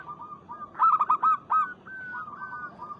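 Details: Zebra dove of local stock calling a rival. A brief loud run of five quick, bubbling coo notes stands out against steadier, softer drawn-out coos from other birds.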